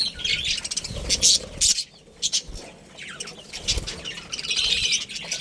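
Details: Budgerigars, a family group, chirping: bright, high twittering chirps come in quick bursts with short pauses, and there is some faint fluttering and background noise.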